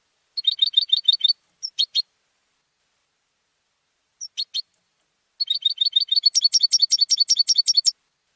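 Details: Home-bred competition European goldfinch singing: a quick run of repeated bright notes, a few isolated chirps with pauses, then a long, fast, rhythmic sequence of high tinkling notes building in intensity.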